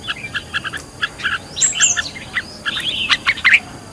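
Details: A fired-up red-whiskered bulbul in decoy-bird training gives rapid, fairly soft chirps, then a few loud, rising and falling whistled sweeps near the end.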